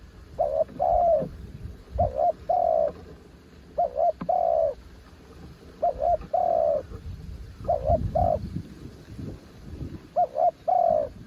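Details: Spotted dove, called a mountain bird, singing repeated phrases: each is a quick hiccuping double coo followed by a longer, slightly falling coo. Five phrases come every two seconds or so over a low rumbling background.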